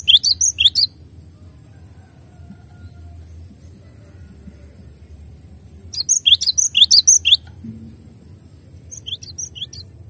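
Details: Cinereous tit song, Indonesian glatik batu: short bursts of quick, piercing high notes separated by long quiet gaps, the last burst faint, with a steady high hum.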